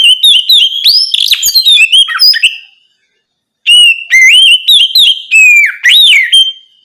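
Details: At night, an Oriental magpie-robin sings in the loud ngeplong style to prompt young birds to answer. It gives rich varied whistles with rising and falling slurs, pauses about a second, then resumes with looping whistled phrases.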